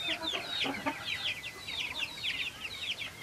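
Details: Silkie chickens on a farm: a dense chorus of high, thin, downslurred peeps from many birds overlapping rapidly, with soft lower clucks underneath in the first second.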